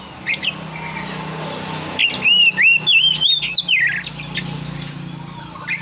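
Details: Oriental magpie-robin (kacer) in full 'ngeplong ngotot' song, delivering a bright, fluid run of clear whistles that wave up and down and slide lower at the end, with a few short chirps before and after over steady low hum.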